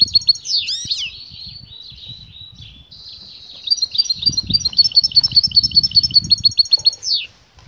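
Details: Female European goldfinch calling to attract the male, who begins to sing: sharp swooping notes at first, then a buzzy trill and a run of rapid, high, jingling chirps ending in a falling slur.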